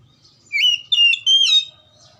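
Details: Oriental magpie-robin song used as a lure to stir silent or lazy magpie-robins into singing: three loud, clear whistled notes, the first rising, the others held steady, over a faint low hum.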